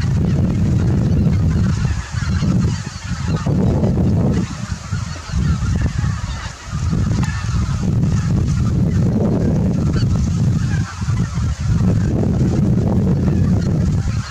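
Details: A large flock of greater white-fronted geese at Miyajima marsh in autumn 2020, returning in the early morning after leaving their roost, makes a dense, continuous chorus of yelping, laughing honks over a steady low rumble.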